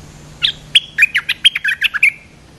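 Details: A streak-eared bulbul, responding to a lure call, gives a quick burst of about ten bright, chirpy notes over under two seconds, bubbling up and down at mid-high pitch.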